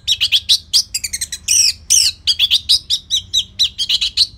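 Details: Orange-headed thrush in prolific, relaxed 'gacor selow' song, played as a lure for tutoring other birds. A rapid, unbroken run of sharp, high chirps and slurred whistles at about three notes per second, varied and energetic, over a low hum.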